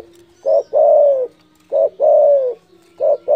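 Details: Spotted dove calling loudly in a way said to rile rivals: two phrases of a short hooting note followed by a long, full coo that drops in pitch at the end, over a faint steady hum.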